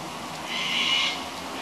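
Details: One of about eight wild cockatoos, landed in gum trees and apparently excited by the first decent rain after a long dry spell on 1 October 2017, gives a single drawn-out, harsh, high-pitched call under a second long over the hiss of falling rain.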